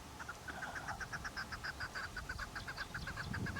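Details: Keklik, the chukar partridge, giving a fast, steady run of short clucking chuck notes, over two per second, continuing without pause against a noisy, hissing background.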